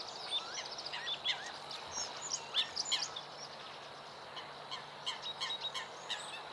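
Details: Bluethroat singing early in the morning, a quieter jumble of scratchy twitters, short whistles and buzzy notes in irregular bursts, fading midway and resuming, with faint low hum in the background.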